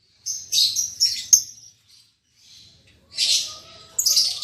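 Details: Newly paired lovebirds, an albino MM male and a lutino MM female, kept as a caged pair: high, harsh chirps in two short bursts, a pause, then further raspy chirping bouts.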